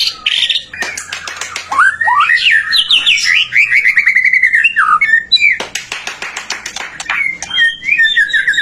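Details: A white-rumped shama sings vigorously, its song meant to stimulate other shamas: sharp clicks lead into a long ripple of rising and falling whistled notes, followed by shorter chattering and whistled phrases.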